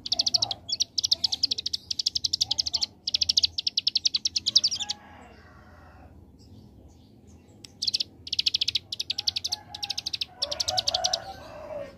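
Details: Ciblek gunung, the hill prinia, in 'ngebren' AK47 delivery: long bursts of very rapid high staccato notes like gunfire, a pause of several seconds with faint scratchy sounds, then the trill resumes in broken runs.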